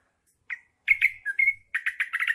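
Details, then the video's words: Green leafbird song with a trucukan fill: a single sharp note, then clear ringing whistles sliding downward, followed by a quick run of rhythmic, bubbly pulsed notes. "Trucuk isian cucak ijo"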